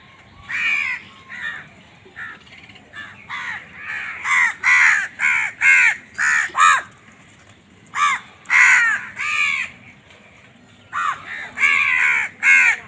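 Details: Crows fighting over food, giving a rapid series of harsh, nasal caws, each about a third of a second long, bunched in irregular bursts with short pauses between groups; several birds seem to overlap.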